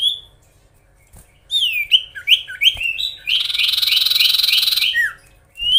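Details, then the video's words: Magpie-robin singing to provoke rival birds: a sequence of clear swooping whistles followed by a fast buzzy trill of repeated notes lasting over a second, ending on a falling slur, then a new rising note. "SIRTU/CIPOH GACOR BIKIN EMOSI SEMUA LAWAN!"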